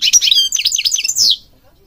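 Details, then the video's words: European goldfinch song played to train other goldfinches: a brief, dense burst of high twittering and buzzy chirps lasting just over a second, ending in a falling slurred note, then quiet. "Singing Goldfinch King goldfinch singing"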